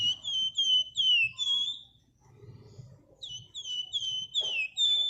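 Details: Actively singing flamboyan bird, a lure recording for stimulating other birds: high clear whistled notes, each slurring downward, given in fast runs of four or five, a short pause, then another run.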